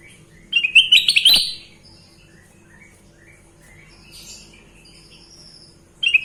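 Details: Sooty-headed bulbul singing a loud, bubbly burst of quick warbled whistles, then a long quiet gap before another phrase begins at the end.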